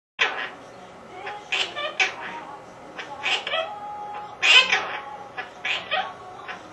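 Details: A pet Quaker (monk) parakeet talks, chattering in bursts of scratchy, speech-like phrases that imitate human speech about the household's other pets.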